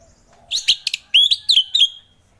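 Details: Orange-headed thrush in relaxed ngeplong song, played to encourage reluctant thrushes to sing in the morning: a few sharp chirps followed by bright whistled notes that sweep downward, spaced a fraction of a second apart.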